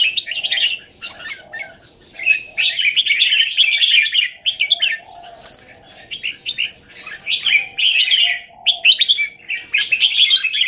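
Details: Red-whiskered bulbul singing inside a square cage on 17 January 2019, delivering bursts of lively, twittering warbles separated by brief pauses, with faint lower muffled sounds in the background.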